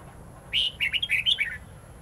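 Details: Red-whiskered bulbul delivering its forest-voice song, used as a model for young white-cheeked birds. A clear held whistle leads into a fast, twisting chain of short warbled notes that rise and fall, ending on a lower slurred note.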